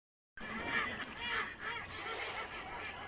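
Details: Ducks calling in a natural setting, a burst of nasal, harmonic-rich calls overlapping one another after a brief silent start.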